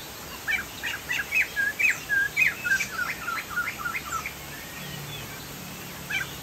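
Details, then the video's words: Chinese hwamei, the Sumatran poksay jambul, singing gacor: a rapid phrase of loud, varied whistles and slurred notes lasting about four seconds, then near quiet with a single late note, over a soft low hum. "POKSAY JAMBUL GACOR"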